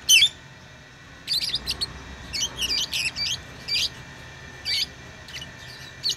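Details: A loud shrill squeak opens, then pet lovebirds follow with groups of rapid high chirps and twitters spaced by short gaps, over a faint hum.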